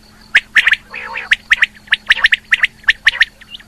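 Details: Female rain quail calling: a fast, uneven run of short, sharp chirping notes, some doubled, with a brief hoarse gargling burst near the start and a steady electrical hum underneath.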